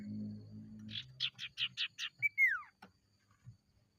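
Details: Lure recording of an Ashy tailorbird: a quick run of seven harsh buzzy notes, then a clear whistle sliding steeply downward, after a low droning hum fades out.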